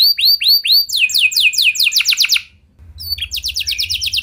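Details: Canary singing at length, a recording meant to get other canaries singing too: a few spaced upward-curving whistles, then rapid series of falling high notes, a short pause, and another fast trill with faint low hum beneath.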